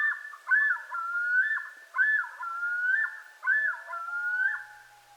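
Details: Male Common Loon yodel, used to claim territory, with each male's yodel having its own signature sound: loud, wavering phrases, each opening with a rising note and then a long, ringing wail, repeated about every one and a half seconds.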